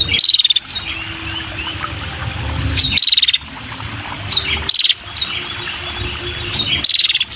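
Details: Calling to draw in males, a female red-headed prinia gives short, high, falling trills roughly every two seconds. Each trill is a brief rapid rattle, with a faint insect-like buzz and low noise between them.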